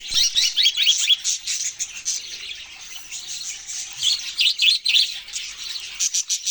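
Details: Budgerigars chirping: dense, high, busy chatter of short tweets and warbles, running almost continuously with brief dips in loudness.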